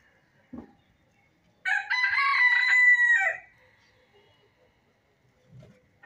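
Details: Country chicken crowing once: a loud, harsh, ringing cock-a-doodle-doo of about one and a half seconds that ends in a falling tail. Soft thumps come before and after it, in otherwise quiet surroundings.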